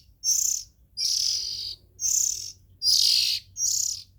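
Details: Oriental magpie-robin chicks produce five loud, scratchy hisses, each about half a second long and evenly spaced, high and buzzy in texture, against a faint low rumble.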